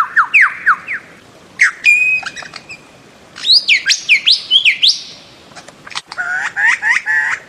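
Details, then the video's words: Bird-of-paradise with quick downslurred whistles, a drawn-out tone, and clusters of bright, sharp chirps, ending in a fast run of buzzy, harmonic notes. "Bird of Paradise Calling Sound"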